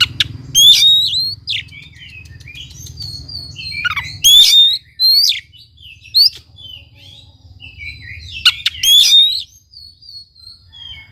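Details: Vigorous Oriental magpie-robin song, used to provoke a reluctant bird to sing. Loud whistled phrases with steep upslurs and chattering notes repeat several times, with quieter warbling between them. A low rumbling hum is heard during the first four seconds.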